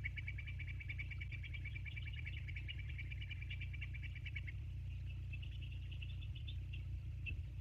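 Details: Bald eagles at the Sauces nest, filmed by a live nature cam on 29 January 2024 at 22:51: a long rattling string of high piping pulses for four seconds, then scattered softer chitters, over a persistent low hum.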